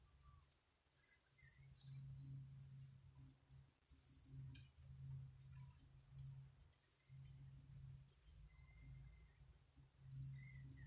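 A Yellow-browed warbler sings very high, thin, sibilant notes in quick bursts, some slurring down, over a low rumble in the background.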